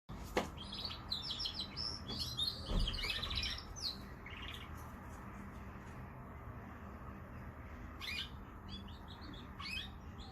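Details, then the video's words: Canary singing: bursts of high, rapid chirps and trills in the first four seconds, then quieter scattered notes with low background hum and a brief thump. "Canary singing / Śpiew kanarka"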